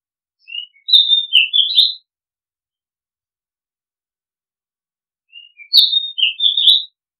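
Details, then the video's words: Oriental magpie-robin, called nok kangkhen ban in Thai, repeating the same whistled song phrase twice, about four and a half seconds apart. Each phrase has a sliding high whistle followed by quick warbled notes, set in complete silence. "Oriental Magpie Robin Sound Long play เสียงร้อง นกกางเขนบ้าน"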